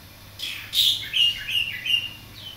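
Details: Greater green leafbird practising its song while learning from a Javan pied starling, a bearded bulbul and a green bulbul: a quick run of four or five squeaky, high chirps with a faint low hum behind.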